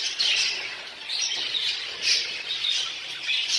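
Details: Many budgerigars in a Texas budgerigar breeding room, busy eating soft food and feeding chicks, chatter nonstop in a dense overlapping mix of high chirps, squawks and warbles.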